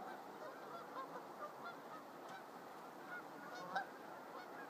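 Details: Geese resting in the morning at a lakeshore conservation area in Whitby, Ontario, a popular evening landing place; soft, scattered honks and murmuring calls rise from the flock over a steady background hiss.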